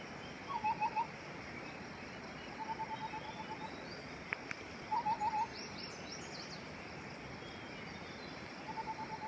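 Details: A White-browed Scimitar Babbler (Pomatorhinus schisticeps) in Bhutan calls short runs of three to five quick, mellow hooting notes every two to four seconds over a steady background hiss.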